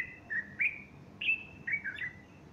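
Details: Bulbul in morning song on Sunday 30 August 2015, a female nearby fluffing her plumage; a lively phrase of four or five clear whistled notes, alternately rising and dipping, delivered within two seconds.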